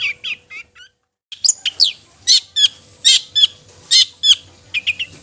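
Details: Provocative long-tailed shrike song, used to make rival shrikes sing hard and agitated: rapid harsh chattering notes and downslurred squeaks in bursts, a short silent gap after the first second.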